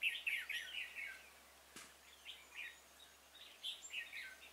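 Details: Red-whiskered bulbul acting as a decoy during trapping on 26 February 2018, luring a stubborn wild bird; quick warbling notes open the recording, then a brief thump and softer scattered whistled phrases.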